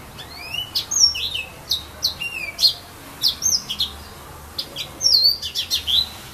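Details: A serin in filao (casuarina) trees at Saint-Philippe, Réunion, sings a fast, jangling run of high, thin twittering notes and short rising and falling slurs, delivered in quick bursts with brief pauses.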